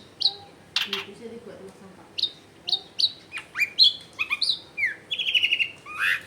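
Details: Lively Long-tailed shrike song meant to get silent shrikes singing, recorded at a home in a crowded neighbourhood: varied high slurred whistles, sharp clicks and a short fast series of notes at the end.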